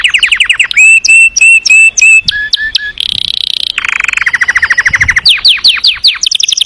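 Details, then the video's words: A canary sings: fast, varied tours of bright whistles, buzzy trills and rapid rolling notes, shifting pattern every second or so, loud and close. "KENARI GACOR NGEROL NEMBAK | CANARY SINGING"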